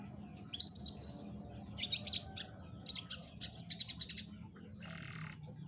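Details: Canary song played to prompt a reluctant canary to sing: a high whistled phrase, then clusters of rapid chattering notes and a brief buzzy burst near the end, with a faint low hum underneath.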